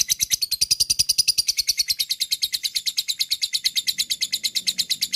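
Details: Lovebird giving a long 'ngekek' chatter, used as a lure to spur other lovebirds into song: a fast, steady train of sharp, high chirps, roughly seven per second, running unbroken through the clip with no other sounds.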